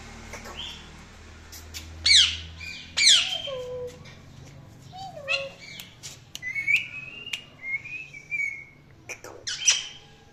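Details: Indian ringneck parakeet chirping and chattering: repeated harsh squawks, descending whistles and warbled rising notes, irregularly spaced, indoors.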